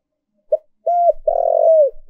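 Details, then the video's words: Spotted dove used as a decoy to lure wild doves: a short note, then an arched coo, then a long, rough coo that falls away at the end. Clean, with no background sounds. "Cu Gáy Mồi Thúc/ Gáy Gọi Kích Bổi"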